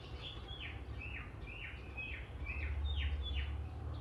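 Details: Oriental magpie-robin singing in the morning, a song said to stir other magpie-robins into singing: a quick run of clear, downward-slurred whistles, about eight in four seconds, over a steady low rumble of background noise.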